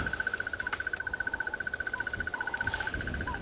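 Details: A Crested Barbet, hidden unseen in nearby trees during an African bush safari, gives its loud, long, even trill, a steady run of rapid notes like a ringing alarm clock, with faint whistles from other birds behind.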